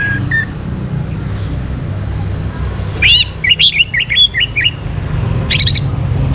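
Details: Orange-headed thrush in a morning recording meant to stimulate breeding condition. A string of clear, looping whistled notes and short chirps comes in the middle, followed by a few sharp high notes, against a constant low hum.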